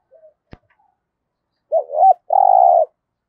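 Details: Decoy spotted dove kept for luring wild doves, giọng thổ voice style: a faint soft note and a click, then one loud phrase of two rolling notes and a long level coo.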